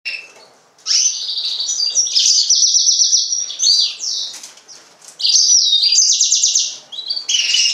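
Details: Yellow-fronted canary, Serinus mozambicus, singing a bright high warble of rapid trilled phrases and sweeping whistles, pausing briefly near the start and again around five seconds.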